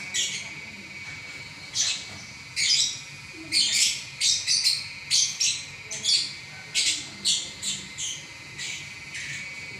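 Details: Champion lovebird singing without a break: a dense, fast series of shrill, buzzy chirps and squeaks, about one a second then quickening into clustered runs, over a low hum.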